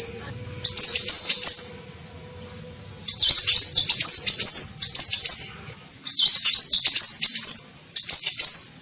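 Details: Sunbird lure call used to attract birds: high, thin twittering bursts of rapid rising-and-falling notes, each burst about one to one and a half seconds, separated by short pauses.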